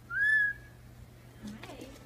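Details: Indian ringneck parakeet whistling in a room: one loud, pure, level whistle lasting under half a second, then a quiet pause and a soft falling, muttered phrase.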